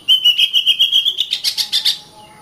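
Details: Kacer, the Oriental magpie-robin, singing for masteran training of other birds: a fast series of about twelve evenly spaced, ringing whistled pulses, ending in harsher buzzy chips, then quiet.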